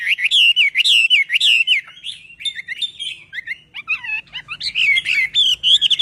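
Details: Chinese hwamei being trained, singing loud undulating whistled phrases repeated almost twice a second, interrupted by varied sliding and dropping notes before the looping whistles resume.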